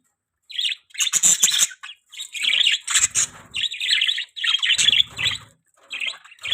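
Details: Pet budgerigars giving busy, buzzy chirps and warbles in near-continuous bursts, a few sharper squawk-like notes mixed in.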